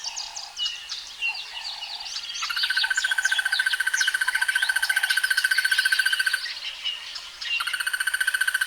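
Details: Crested barbet (Trachyphonus vaillantii) gives a long, even, rapid trill like a ringing alarm clock, about four seconds long, then starts again; chirps of other birds come before it.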